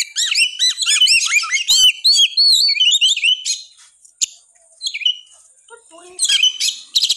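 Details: Oriental magpie-robin in intense, persistent full song, used to provoke lazy magpie-robins into singing: rapid, high whistled upslurs and chattering trills for four seconds, a pause with a few lower fluting notes, then another burst of sharp whistles.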